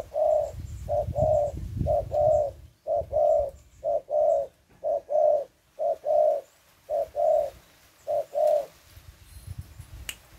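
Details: Spotted dove cooing while a young bird is trained to come down to the ground with decoys. Deep, mellow coos follow steadily at roughly one per second, some paired, over faint low rumble.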